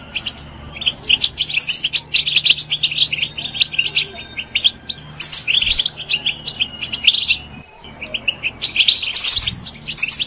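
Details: European goldfinch kept as a pet bird, singing to stimulate other birds to sing: bright twittering phrases and tinkling trills, high and rapid, in bursts separated by short pauses, with a faint low hum beneath.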